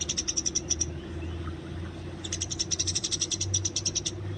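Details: Eurasian tree sparrows fighting in the wild, used for training: a brief burst of quick, high chirps, then a gap, then a longer rattling chatter of sharp notes. Faint low hum behind.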